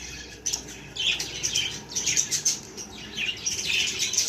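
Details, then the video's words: Baby budgerigars give short, squeaky, high chirps, some sliding down in pitch, in uneven clusters over faint background noise. "Cute baby budgie video"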